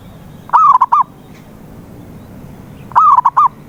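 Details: Zebra dove calling as a lure for a mute dove: two gentle, hollow coo phrases roughly two and a half seconds apart, each opening with a swelling note and ending in a short stutter of quick coos.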